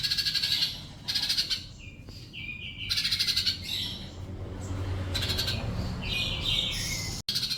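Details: Sunbird song played as a training sound meant to prompt quiet birds to answer: bursts of rapid, buzzy high trills alternate with clear whistled notes, with a brief silent dropout near the end.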